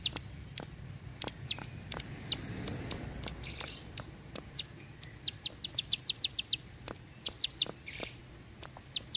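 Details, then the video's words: Bar-winged prinia with scattered high ticks that build into quick clicking runs, set against a quiet background with faint low noise. "Ciblek Sawah // Prenjak Klik // Tembakan Panjang Rapet Ciblek"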